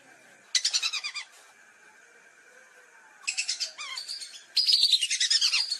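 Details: Lesser whistling duck lure call: short, quick runs of high whistled notes, then a pause of about two seconds, then two more tumbling bursts, over a faint steady background hiss.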